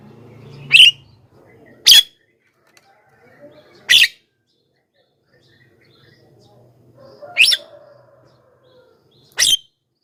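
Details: Booming Javan myna calls used to attract wild birds: five short, gritty bursts at irregular spacing over a low background hum and faint whistled notes.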